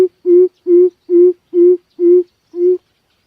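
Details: Coucal lure call used to draw in birds for trapping: a run of seven deep, hollow, evenly spaced hoots, roughly two per second, each note steady and mellow, with a quiet background.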